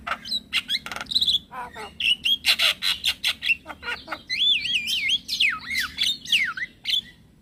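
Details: A male Javan myna's lure call for prompting other mynas and starlings to answer. It opens with clicks and a steady run of buzzy notes, then shifts to loud wavering and swooping whistles.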